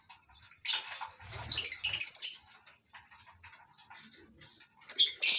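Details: Lovebirds living together in a colony cage at a farm in the morning: a dense burst of overlapping shrill chattering and screeches, fading to faint twitters before another loud shriek at the end.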